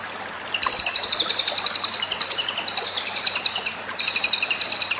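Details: Cililin singing hard, a master song: two bursts of rapid, high, ringing chirps, the first running over three seconds, then a brief pause and a second fast burst starting up.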